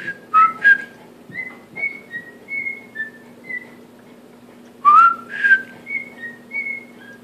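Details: A captive male cockatiel tries to whistle the Andy Griffith song. Two sharp upslurred notes open a long series of soft, evenly spaced level whistles, then a loud rising swoop and more gentle notes, with constant low hum.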